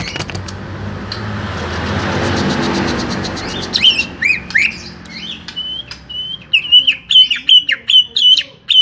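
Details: Greater green leafbird, small-bodied, whose shrill whistled notes with falling slurs start after about four seconds of loud hiss and continue as a fast, busy phrase.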